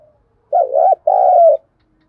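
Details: Decoy spotted dove cooing to stir up freshly trapped doves during training: a two-part phrase, first a wavering dipping coo, then a longer steady coo after a short pause, low and mellow, no other sounds.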